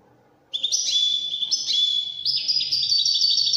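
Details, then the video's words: After a half-second of quiet, a European goldfinch launches into a dense, high twittering run in the Moroccan Wydani song style, mixing rolling trills with sharp tinkling notes. "الحسون الويداني الملك الذي يستحق استماع وتمتع في ادائه في التغاريد الويدانية المغربية"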